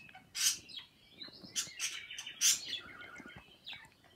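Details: Pet birds chirping, kissing and chirping along with other birds beside an Echo Dot; a few bright, high chirps and short trills in scattered bursts over a quiet background.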